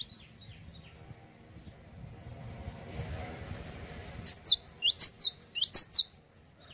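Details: Faint scattered high notes, then a burst of four or five piercing whistled phrases from a cinereous tit in full song, each phrase a rapid rising-and-falling sweep, over a soft low background hum.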